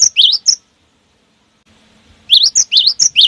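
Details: Cinereous tit singing hard, played to prompt other cinereous tits to sing; quick zigzag and rising whistled notes in two short bursts around a pause, the second burst dense and rapid.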